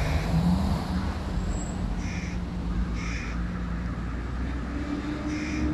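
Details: A hooded crow fledgling, one of three, begs loudly from a tree beside its mother while the first-time father feeds a sibling fish. Harsh, nasal caws come roughly once a second over a constant low traffic rumble.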